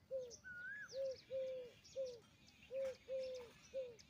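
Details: Peahen of the Indian peafowl giving a run of short, clear, arched tonal notes, some paired, repeated about every half second, with one higher slurred whistle early on and faint chirps behind.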